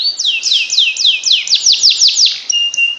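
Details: Canary singing a special tutor song for silent birds, delivering a series of clear, descending whistled slurs about four per second, followed by short high pips and a steady held note.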